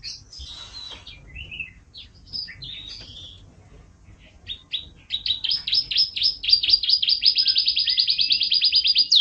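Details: Canary starting with scattered soft chirps and warbled notes, then launching into a loud accelerating trill of rapid repeated high notes.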